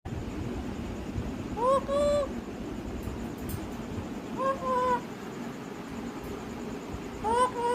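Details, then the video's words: Pet parrot talking: three short voiced, speech-like phrases with rising and falling tone, spaced about three seconds apart, over steady low background noise. "Parrot Talking"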